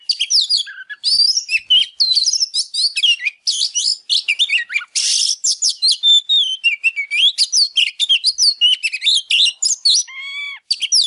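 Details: Oriental magpie-robin, fired up ('căng lửa'), singing and dancing to spur other birds into song: a long unbroken stream of rich whistles, sweeping slurs and scratchy bursts, varied phrase after phrase, with a brief lower tonal figure near the end.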